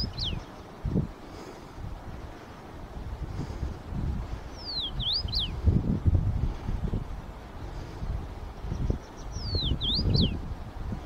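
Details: A male common rosefinch sings while searching for a mate: short, clear slurred whistled phrases about every five seconds over steady low wind and traffic rumble.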